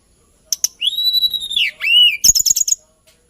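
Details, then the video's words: Hill blue flycatcher giving long, drawn-out whistles that arch and fall, with a second swooping whistle, followed by a quick run of sharp clicking notes. "TLEDEKAN GUNUNG KICAU MERDU BURUNG ASLI NUSANTARA"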